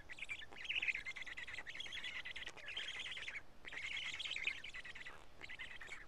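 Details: Black stork chicks at a Karula nest, 31 May 2017 at 12:47, fed two big fish; grating, buzzy calls rise and fall in long phrases separated by short gaps.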